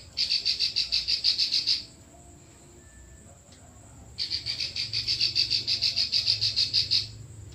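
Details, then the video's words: Klik-klik bird's full, continuous song, meant as a tutor recording for other birds: two long runs of fast, sharp, evenly repeated high clicks split by a two-second pause, over a faint low hum. "Burung Klik Klik Full Besetan"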